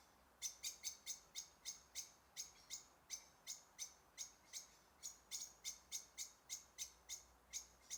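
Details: A goldcrest, one of two present, in a snowy local forest on a clear, windless, cold late-November morning at sunrise repeats very high, thin, needle-like notes about three times a second, steady and even, against a quiet background.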